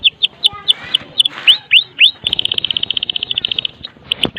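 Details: Medan white-rumped shama giving lively kretekan song, rich in imitated phrases, meant to lure other shamas into singing; separate upward-sweeping whistles and chips, then a fast, dense rattle of high repeated notes, ending with a rising whistle.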